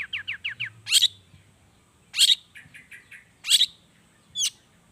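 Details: Long-tailed shrike song as a lure to prompt singing: a run of four quick rising whistles, then loud harsh chattering bursts alternating with soft repeated notes, ending in a sharp trill.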